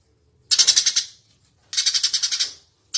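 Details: Eurasian tree sparrow singing steadily, recorded as a master for teaching other birds. Two separate half-second bursts of fast, sharp, high chirps sound about a second apart, and a third burst begins at the very end.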